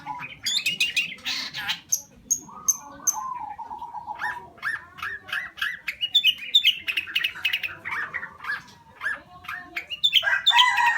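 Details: Long-tailed shrike song, a busy mix of scratchy chatter, harsh squawks, sharp high ticks repeated about twice a second and a sustained mid-pitched buzzy note, ending in a loud rasping burst.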